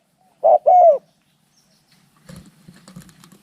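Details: Spotted dove calls during a fight between birds: two short, low, mellow coos in quick succession, the second slightly longer, followed by faint rustling and scraping.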